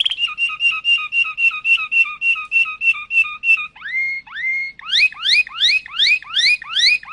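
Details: Malinois canary singing a varied song: a fast repeated two-note trill, then rising slurred whistles, then a quick series of upward-sweeping notes repeated about three times a second; no other sounds.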